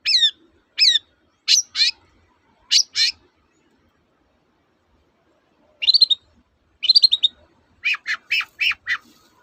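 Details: Long-tailed shrike in full song, recorded as a lure to make reluctant shrikes sing: sharp, harsh, high chirps in short bursts, first evenly spaced, then after a pause faster buzzy trills and rapid stuttering notes.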